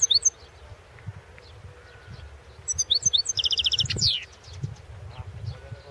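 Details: European goldfinch in a 2016 world championship song contest recording: a few sharp opening chirps, then a dense phrase of tinkling notes and a rapid repeated buzzy trill finishing with a descending sweep.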